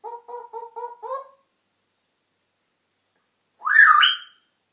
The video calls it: African grey parrot talking and whistling